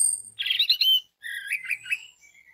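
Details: Orange-headed thrush singing as a lure to set off other orange-headed thrushes: a dense, rich warbled burst followed by a lower, rolling twittered phrase that trails into a faint whistle.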